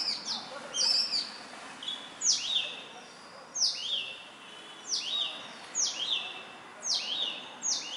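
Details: Indian robin, a small black and white bush robin living near homes, singing as it does each morning and evening: high, sharp downslurred notes ending in short whistles, repeated in phrases roughly every second, over a light background hiss.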